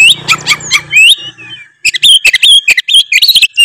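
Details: Tretes-type oriental magpie-robin singing richly to provoke rivals: rapid whistled slurs and buzzy notes, a low hum under the opening second, then a brief pause and further sharp varied phrases.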